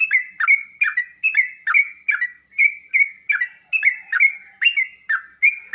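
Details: Song of a sooty-headed bulbul meant to prompt other birds to answer, made of short bright whistled notes with a falling slur, repeated evenly about twice a second, with faint high ticking behind.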